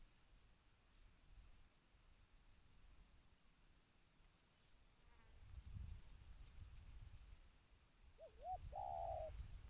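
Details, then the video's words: Spotted dove, a trained bird, gives a call near the end: a short double wavering coo leading into a longer, sustained buzzy coo, after faint ticking sounds and steady low background rumble. "Suara panggilan tekukur ajaran"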